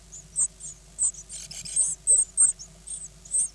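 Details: Nine great tit nestlings hatched 16 May 2010 and recorded 24 May, begging as they are fed: rapid, very high, thin squeaky calls, repeated in short bursts several times a second, over a low background hum.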